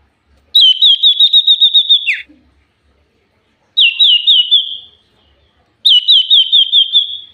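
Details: Common iora lure song: three bursts of fast, evenly repeated chipping whistled notes at a high, steady pitch, each burst about a second and a half long, separated by roughly two seconds of silence.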